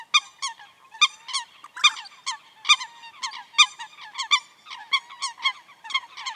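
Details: Coot in its natural wetland habitat giving a rapid run of short, nasal, harmonic-rich notes, about one a second, uneven in timing and sometimes doubled, with other notes overlapping in a lively burst.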